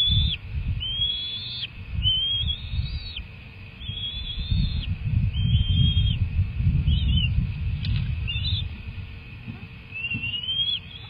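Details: Young bald eagles at the nest during feeding, calling in high, thin whistles that rise and then drop off sharply, about seven calls spread over the stretch, with a loud rumbling wind-like noise underneath.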